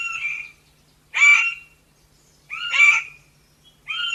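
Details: Chestnut Forest Rail, a smallish rail of montane forest, giving harsh raspy notes. Three full rasping calls and a partial one are spread across about four seconds. Each is short and broad-toned, separated by roughly a second of silence.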